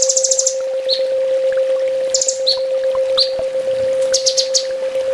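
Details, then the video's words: Sunbird training master song: a fast high trill opens, followed by sparse chirps and a few descending notes, ending in another quick high burst over a steady electrical hum. "Suara masteran burung kolibri ninja full tembak"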